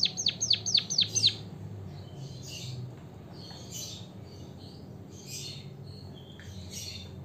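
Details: White-headed munia (emprit kaji, bondol haji) in a recording used as a lure to stimulate other birds to sing: a quick run of about eight sharp, high, downward-sweeping chirps, then faint scattered chirps over low background rumble.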